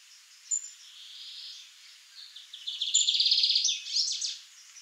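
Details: Young male Lined Seedeater singing: thin high chirps, then a rapid buzzy trill with quick twittering notes, all high-pitched, over a soft background hiss.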